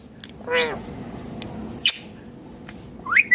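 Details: Ringneck parakeet giving an arched, nasal squawk followed by a short sharp note and a rising whistled screech at the end, with quiet room noise between calls.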